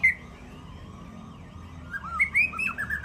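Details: White-rumped shama at the SMBF Ladong singing contest, the winning bird, opens with a sharp note, holds a thin drawn-out whistle, then gives quick clear up-slurred and down-slurred whistles.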